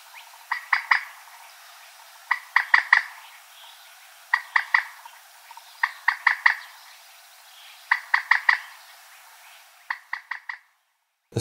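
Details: Common Moorhen, a mostly quiet and mainly diurnal bird that also calls at night, gives its typical short, abrupt croaking calls in quick bursts of two to five notes, repeated every couple of seconds against a quiet background.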